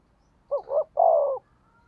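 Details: Spotted dove giving a 'thúc gù' coo, used for training and rousing decoy birds: one low phrase of a short double note followed by a longer, steady, slightly falling coo, with a quiet background.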